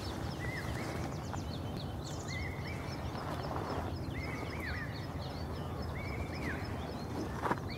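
Sirkeer malkoha calls in short, upslurred mid-pitched notes that repeat every second or so. Faint high twittering from other birds rides over a steady low rumble of wind or traffic.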